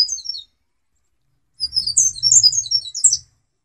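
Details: A black-capped white-eye sings continuously for songbird training: a brief high chirping fragment, a pause, then a longer jangling run of shrill twittered notes over a faint low rumble.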